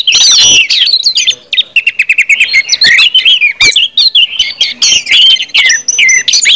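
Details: Orange-headed thrush ngeplong song used as a lure to make other birds sing; a harsh opening burst, then rapid chattering clicks and varied whistled phrases pouring out continuously with many abrupt notes.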